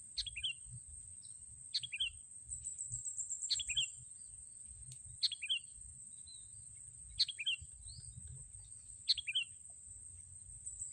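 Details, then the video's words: Sooty-headed bulbul during luring with a racik trap; crisp descending chip notes come singly or in quick pairs at irregular intervals, about every one to two seconds, with a constant thin high whine throughout. "mikat burung kutilang memakai racik memang handal"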